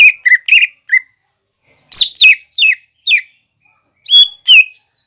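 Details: Training recording of a green leafbird, said to include fighting-sparrow, lovebird and kolibri phrases: irregular bursts of sharp, slurred chirps and a long high whistle sweeping down at the end.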